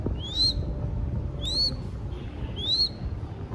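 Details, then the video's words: Young crested goshawk being hand-fed in Cambodia, crying for food with three shrill, rising whistled squeals about a second apart, each sliding upward and ending abruptly, against a low steady hum. "Feeding Baby Crested Goshawk / ឲ្យចំណីកូនស្ទាំងអឿនអិន"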